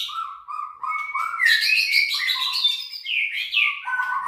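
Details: Contest-grade white-rumped shama from a breeding farm in Plupuh, Sragen, singing a rich, varied song: low fluted notes near the start, then fast rising and falling whistled phrases and sharp chirps, repeated without pause.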